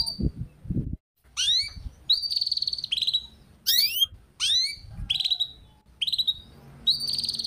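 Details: Juvenile canary learning the ngeriwik song. Bursts of sharp upsweeping notes and buzzy, high trilled phrases come in short groups, with low knocking sounds at the start.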